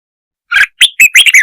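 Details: Red-whiskered bulbul singing to provoke other birds: four quick warbled notes in about a second, bright and slightly slurred, the last ones run together. No background noise.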